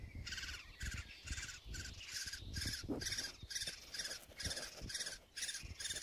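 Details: Woodpecker chicks in their nest cavity, Blachownia, Poland, 23 May 2019, beg in a harsh, buzzy chorus of bursts, about two per second, over a low rumble of wind or handling noise.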